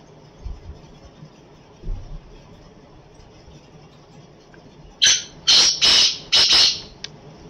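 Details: Black francolin giving its call after a few seconds of quiet low thumps: a brief opening note, then three grating, scratchy bursts close together, with a faint short note trailing at the end.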